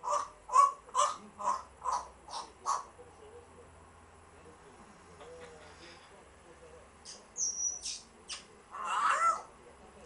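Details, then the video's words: African grey parrot at home giving a series of seven short clipped calls about twice a second, then a pause, a thin high whistle and a louder rasping squawk at the end. "Ζακό - African Gray Parrot/zako"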